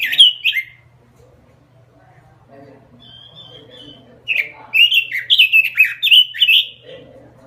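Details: Robin singing strongly: a short warbled phrase, a pause with a soft thin whistle, then a rapid burst of bright looping whistles, roughly two and a half notes per second, over a faint low hum.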